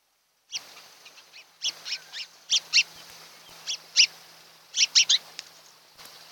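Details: Osprey pair at their nest on Kent Island, Maryland, in July before dawn: short high chirping calls in scattered bursts of two or three notes, faint background hum.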